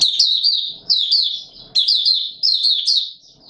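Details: Mata Puteh Raja white-eye giving bright, high-pitched twittering song phrases roughly every second in warm humid weather, 20 March 2022, with soft low shuffling sounds between phrases.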